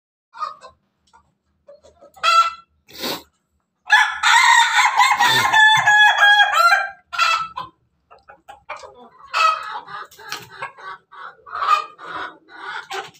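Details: An Ayam Ketawa rooster crows in the morning among his hens, giving a long, stuttering, laugh-like crow among shorter clucks from the hens.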